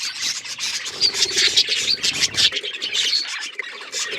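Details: Pet budgerigars chattering in a busy, continuous warble of overlapping chirps and squeaky twitters, with bright, scratchy notes running without pause through the whole stretch.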